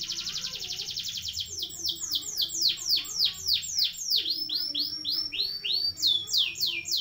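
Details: Canary long roll song played as master recording for training young birds: very fast rolling trills of rapid repeated high notes, shifting through several tour types with downward-sweeping units, continuous throughout.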